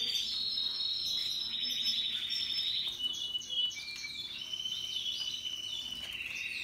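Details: Happily singing Russian yellow and Timbrado canaries deliver a chain of rolling trills, each held a second or two at one pitch before stepping to another, bright and continuous throughout.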